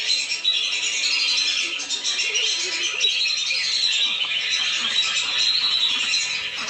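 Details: Many lesser whistling ducks calling together on a lure track for bringing the birds down, a thick wall of high whistled notes running without pause.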